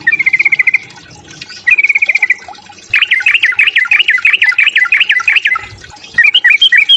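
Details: Sooty-headed bulbul in fighting song to provoke rivals, giving two short trilled whistles, then a fast run of bouncing, rising-falling whistled notes, ending in a higher chirpy flourish.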